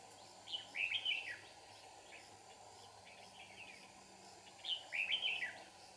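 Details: Red-whiskered bulbul used as a decoy during trapping at Kim Bôi, Hòa Bình, singing to provoke a fight. Two short, bright, warbling phrases of quick whistled notes come about four seconds apart over a quiet background.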